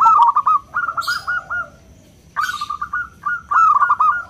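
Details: Local zebra dove, small and clear-voiced, whose calling is meant to draw companions and rouse other doves; three short rattled cooing phrases of rapid notes, with brief soft rustling bursts between them.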